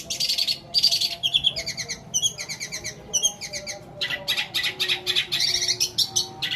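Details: Long-tailed shrike giving an extended medley imitating sparrow, petir and kuntilanak, a lure for shrikes that won't sing; harsh raspy bursts alternate with quick stacked twittering phrases and rapid chatter, loud and high throughout.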